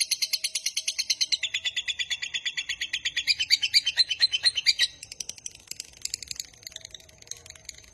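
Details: A lovebird's long trilling song, played to lure and train lovebirds: rapid, even shrill pulses for about five seconds, growing louder midway, then breaking into softer scattered chirps.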